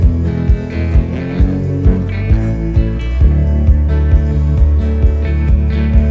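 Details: Rock-style guitar music carries a regular rhythm with strummed and plucked notes and no other sounds.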